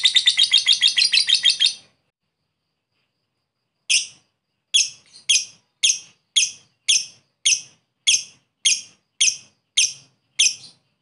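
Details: Lovebird luring a rival in ngekek style. A brief fast chattering burst, two seconds of silence, then a steady run of sharp, high chirps about every half second.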